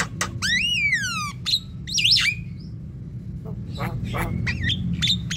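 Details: Javan myna lure calls: a long rising then falling whistle with many overtones, sharp clicks and rasping notes, then scattered short whistles and chatter over a low background drone.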